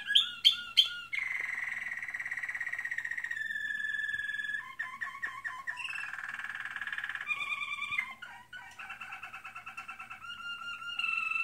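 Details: Caged American Singer canary in training delivering long rolling trills that shift pitch every few seconds, mixing sharp high notes with buzzy, rattling passages; faint low hum in a small room.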